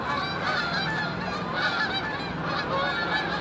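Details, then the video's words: Canada geese honk in a loose, overlapping chorus of nasal two-note calls, roughly one a second, over a steady background hum, on a Canadian shoreline in winter, with floating ice and waves nearby. "Canada Geese"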